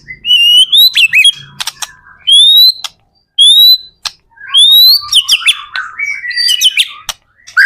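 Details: White-rumped shama, a lure recording of lively singing meant to get other shamas to answer, gives loud clear whistled phrases, some slurred upward and some falling, broken by sharp clicks and short pauses.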